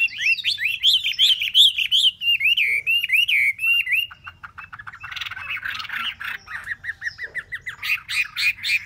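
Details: Chinese hwamei held in a cage for three months delivers a long stream of melodious whistles, wavering and looping notes, then shifts into faster harsher chattering phrases mixed with clear sweet repeated notes.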